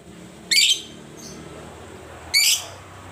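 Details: Lovebird giving two shrill, buzzy chirps about 1.8 seconds apart, with a faint high squeak between them over constant hiss.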